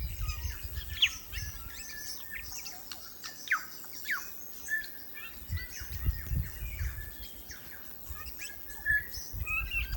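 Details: Native New Zealand bellbird singing in forest: a lively run of short chirps, quick whistles and sliding notes, some ringing, sounding at irregular intervals over low background hum.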